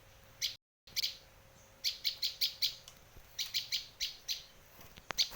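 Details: Sharp high chips of a Bar-winged prinia, Indonesia, played to lure and train birds, come in uneven clusters of two to four, with a brief dropout early and a faint hum in the background.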